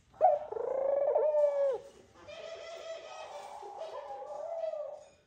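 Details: During courtship at the nest, a male Eurasian collared dove calls the female with two long, mournful, drawn-out coos, the first loud and harmonically rich, the second softer and slightly wavering.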